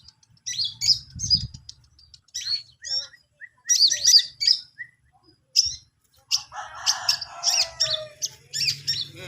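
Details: Long-tailed shrike practising song, giving scattered high chirps and short twitters in bursts. A harsher, buzzy chattering passage comes in the second half, with some low background rumble.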